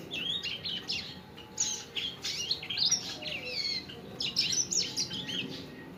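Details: Actively singing Sanger bird on a masteran track: continuous high, chattering twitter of short slurred notes over light background noise.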